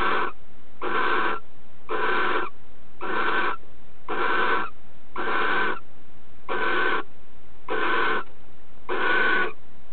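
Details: Barn owl pair courting: the female accepts a mouse gift from the male and mates holding it in her bill. Nine rasping hisses of equal length follow at a steady pace of about one per second.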